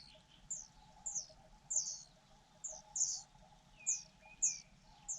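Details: Fujian niltava nestlings waiting for their mother to feed them give thin, high, short chips about once a second, with two soft, lower sliding whistles between them.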